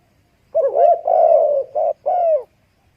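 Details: Spotted dove calling one phrase: a wavering opening coo, a long sustained hollow note, then two shorter coos in quick succession, clean and close.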